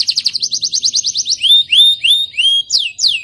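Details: Young canary singing, its song used to stimulate other canaries: a fast run of about fifteen short high trills, then four slurred rising whistles and two steep descending sweeps, loud and clear with no other sounds.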